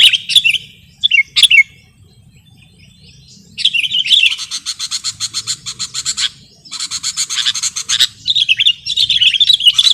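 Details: Sooty-headed bulbul recording used to lure and tutor birds: a few scattered chirps, a quiet pause, then long rattling trains of fast, buzzy clicking notes, closing with warbled whistles.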